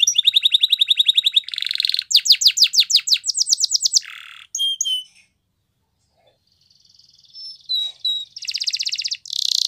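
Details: Canary of the Spanish Timbrado style singing training song: rolling metallic trills and bubbling tours, then a brief silent pause, soft scattered chirps, and a return to dense buzzing trills.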